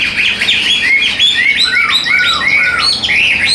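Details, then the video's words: Chinese hwamei kept caged, pouring out clear, arching whistled notes in quick succession, each phrase sliding down then up, loud and unbroken. "Sách Tay Hót"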